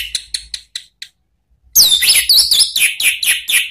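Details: Orange-headed thrush lure song of the 'ngeplong' and 'ngeriwik' style, used to train caged birds: a few sharp clicking notes, a pause, then a continuous run of rich, rapidly alternating high whistles and chirps.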